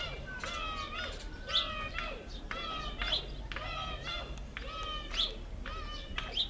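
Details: In Namibia, Cape sparrows, a species very tame around households, give repeated bright chirps and short stacked twittering notes about twice a second over steady low background noise.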